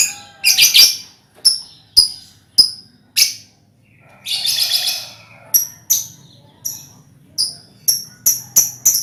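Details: Colony of lovebirds used to provoke ngekek trilling, giving a steady stream of sharp, high chirps, some clustered into brief chattering bursts and others evenly spaced, quickening toward the end.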